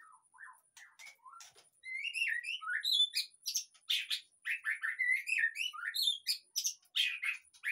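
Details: White-rumped shama singing as a lure to encourage a silent caged bird to sing; a few soft whistles open, then a long dense run of fluty slurred notes mixed with sharp high chips.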